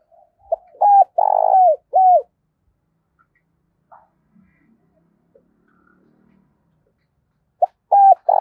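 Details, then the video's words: Spotted dove used as a decoy bird, cooing to stimulate wild doves: a three-part phrase of a short note, a long note and a drooping note, then quiet, then the phrase starting again near the end. "Chim Cu Mồi - tiếng cu gáy kích bổi siêu nhạy gáy"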